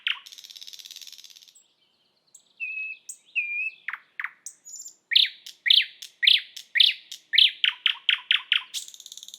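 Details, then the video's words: Song of a thrush nightingale recorded in Estonia. It opens with a buzzy rattle, moves through a few flat whistles, then a powerful series of repeated deep chock notes that quickens into a trill, ending in a high buzz. "Thrush nightingale"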